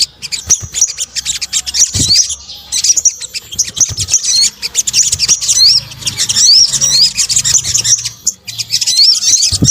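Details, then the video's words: Sunbird sounds mixed to lure birds, Indonesia: continuous high-pitched twittering with looping, upward-slurred whistles clustering in the middle and end, separated by brief pauses. "PANCINGAN SOGON BUNYI AMPUH | kombinasi suara sogok ontong"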